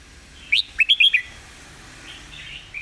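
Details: Red-whiskered bulbul in master song: a quick, loud run of five bright, sharp whistled notes, then faint twittering fading into a quiet background.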